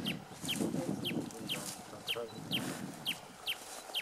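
Sincora antwren giving a steady series of about nine short, high, downslurred notes, roughly two per second, over a low murmur of background voices.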